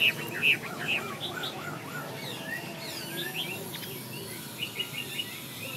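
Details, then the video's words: Chinese hwamei song: loud clear whistled notes at the start, then a rapid stream of slurred, varied phrases about twice a second, tapering into softer repeated notes toward the end against steady background hiss. "Hoa mi xoe"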